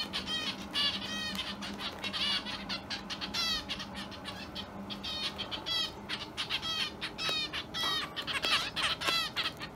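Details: A young pet Java sparrow, Kinako, left behind by its companion Goma, calls insistently on its 9th day in the home, during hand-feeding and room walks: bright, high, down-slurred chirps in quick bursts, several a second, with soft rustling and a low hum behind.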